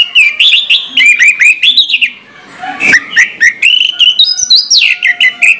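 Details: Orange-headed thrush singing in the morning: a loud, rich run of quick chattering notes mixed with clear rising and falling whistles, barely pausing, with a brief gap midway.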